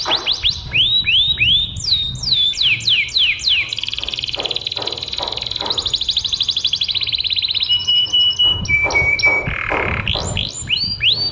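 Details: Canary singing to train other birds: rising hooked whistles, a cascade of descending sweeps, long rapid rolls of repeated notes, a short steady whistle, then further swooping notes.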